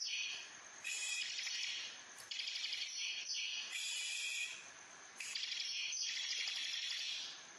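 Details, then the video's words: A pet bar-winged prinia in full rattling song gives long, dense, buzzy rattling bursts, high-pitched and harsh, each lasting one to two seconds with short gaps between them. "Burung Ciblek Kristal Full Ngebrem"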